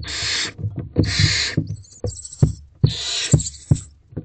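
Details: Barn owl owlets in a nest box in the small hours of 28 April 2023, scrambling to get near their mother, who may have a mouse. Rasping hisses overlap, punctuated by sharp, regular knocking sounds from the chicks moving about.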